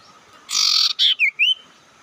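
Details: Lure call to stir up rival birds: a harsh, noisy buzz lasting nearly half a second, then two clear looping whistled notes rising and falling.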